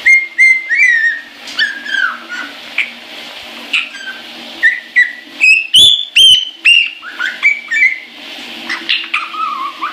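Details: Caique singing cheerfully in the shower, a long series of varied whistles, some rising, some falling, with sharp squawks midway, all over continuous hiss from the shower water.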